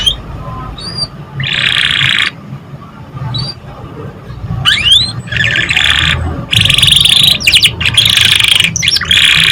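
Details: Canary song used to coax young birds into singing: alternating blocks of harsh buzzy trill, quick rising whistled slurs and fast repeated notes, separated by short pauses, low hum beneath.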